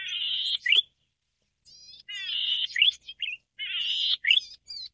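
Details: Golden-headed cisticola (Cisticola exilis volitans) song: a high, buzzy drawn-out note followed by a quick liquid upslurred 'lik', repeated about every one and a half seconds, with a few softer chips between.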